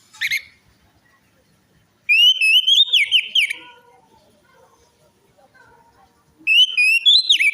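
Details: Singing orange-headed thrush, used to stimulate a quiet or stressed bird: two bouts of loud, wavering whistled phrases that rise and fall, separated by a few seconds of near silence with faint soft notes.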